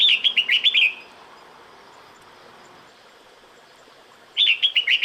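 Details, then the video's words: Female red-whiskered bulbul in the breeding season calling for a male, giving rippling bursts of quick, clear whistled notes that waver up and down, with a quiet gap of several seconds between bursts. "Tiếng Chào Mào Mái Gọi Trống Mùa Sinh Sản"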